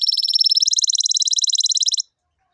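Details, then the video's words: Goldfinch and canary hybrid, described as tibetano and tuitero, delivering a fast, even trill of bright high pulses lasting about two seconds, stepping slightly higher partway through, then stopping into silence. "Jilguero híbrido tibetano y tuitero y canario"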